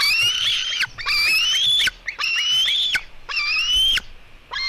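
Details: White-tailed eagle young, a female eaglet clashing with her brother at 16:09: four loud, high, sustained whistled screams, each about a second and gently rising, separated by short broken squeaks.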